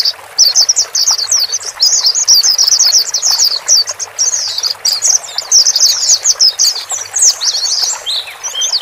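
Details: White-eyes, male and female, in a recording meant to help a freshly purchased bird adapt to its own cage: rapid, overlapping high-pitched twitters and sharp tweets, nearly continuous over several seconds.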